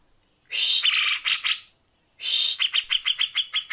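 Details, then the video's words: Grey-cheeked bulbul (cucak jenggot) delivering a fast, dense, rough 'tembakan rapat besetan kasar' phrase, used as tutor material for competition birds: a rasping one-second burst, a short silence, then a quickening string of harsh chattering notes. "masteran Tembakan Rapat Besetan kasar cucak jenggot"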